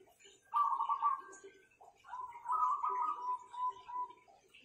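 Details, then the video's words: Owned zebra doves with a strong voice: a brief pulsed coo, a short gap, then a longer purring roll that fades gently in pitch, indoors with little other noise. "Perkutut-perkutut ini Power suaranya mantapnya bukan main"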